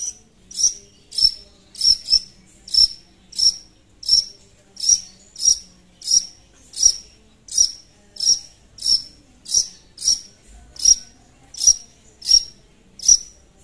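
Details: Long-tailed shrike lure song for calling a rival: about twenty short, sharp, high chip notes repeated evenly, roughly one every two-thirds of a second, loud and clean against a quiet background.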